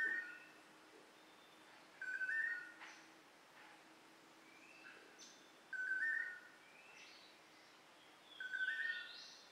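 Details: Long-tailed manakin during its courtship dance in Costa Rican rainforest: a mellow, warbled whistled phrase repeated about every three to four seconds, with a faint insect hum and soft background forest sounds.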